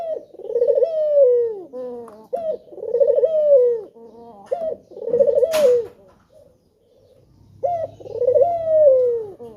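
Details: A male spotted dove repeats its enticing lure coo to prompt other doves to sing. It gives a clipped opening note, then a long quavering coo sliding downward, four times. There is one sharp click and a faint low hum.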